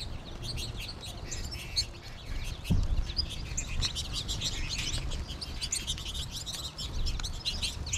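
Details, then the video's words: Many American goldfinches calling together as a late-March flock; a continuous busy twittering of high chirps and rising notes, with faint low rumble underneath. "American Goldfinch flock during the final flourish"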